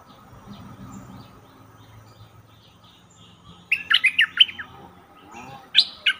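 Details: Stripe-throated Bulbul decoy bird, caged, brought into forest to lure wild birds: quiet opening, then a sudden cluster of chattering, liquid notes and a brief second burst near the end.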